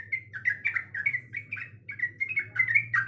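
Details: Female sooty-headed bulbul in breeding mood calling for a male: quick, bubbling chirps in uneven pairs and triplets, lively and chattering, with a steady low hum behind.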